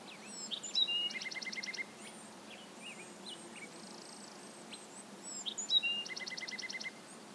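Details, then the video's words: Bewick's wren in the Pacific Northwest: high thin whistles and slurred notes, then a fast dry trill of evenly spaced clicks, repeated twice about five seconds apart, over steady background hiss. "Bewick's Wren"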